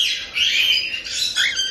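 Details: Cockatiel chicks about one month old at a breeder in Tokachi, Hokkaido, giving harsh, raspy 'jaa-jaa' begging calls, a sound made only during the chick period. Calls come in continuous rasping bursts with short dips between them.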